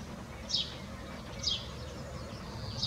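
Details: A house sparrow on a neighbouring roof gives three short, bright, falling chirps about a second apart over a low background rumble.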